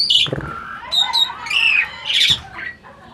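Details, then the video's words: Talking adult Asian pied starling, kept for breeding, gives a few harsh squawks, a quick whistled slide and a rising buzzy note, ending in a rough burst and a fading croak. "burung jalak ini malah ngajak ngomong"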